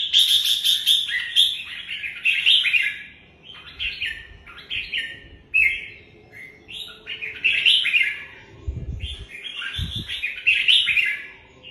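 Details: Red-whiskered bulbul singing a lively series of bright, warbled and slurred phrases, each a quick tumble of rising and falling whistled notes, broken by brief pauses, with faint low thumps in the background.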